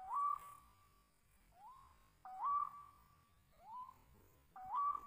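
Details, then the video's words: Lured by a decoy bird, a wild white-breasted waterhen calls repeatedly with rising whistled notes that flatten into a sustained tone, about one call every two seconds, alternating louder and softer phrases. "Mikat burung ruak ruak liar"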